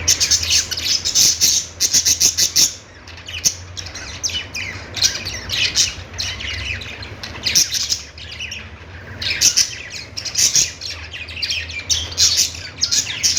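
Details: Budgerigars in noisy chorus: bursts of rapid, rasping chatter and shrill chirps, alternating with brief quieter gaps, several birds seemingly calling at once.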